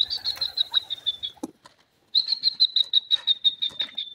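A grey partridge gives high, sharp chattering notes in quick succession, about eight a second, in two bursts separated by a short pause.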